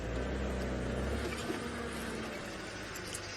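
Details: A vehicle engine hums and rumbles at a low pitch for the whole stretch. No animal voices come through the noise.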